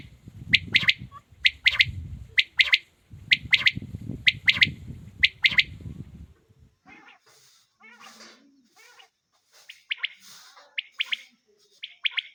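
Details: Male quail calling: sharp, high, clipped notes in quick doublets, repeated about once a second over a low rumbling background, then a quieter spell of faint scattered chirps before the crisp doublets resume near the end.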